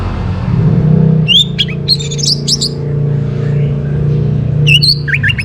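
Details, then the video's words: Morning Orange-headed thrush song meant to raise breeding condition: a few sharp, slurred whistles and quick squeaky notes, then a gap and another burst of rising whistles, over a steady low droning hum. "Naikan Birahi ANIS MERAH pancingan PAGI HARI"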